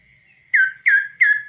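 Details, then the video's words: Kaso-kaso bird, hand-raised and trained to stay tame outside its cage, singing on the hand: three loud, clear whistles, each sliding downward, evenly spaced about a third of a second apart. "BURUNG KASO KASO GACOR DI TANGAN TANPA SANGKAR"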